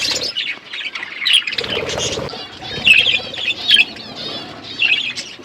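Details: Several pet budgerigars eating food while chirping, a chatter of high, buzzy warbles and squeaky notes in clustered bursts, with rustling and pecking underneath.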